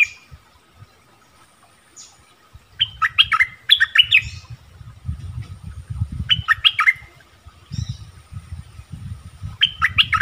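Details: Orange-bellied flowerpecker lure song, pleasant and not overly aggressive: scattered clusters of three or four high, sharp chirps separated by pauses, with steady low rumbling and knocking noise throughout.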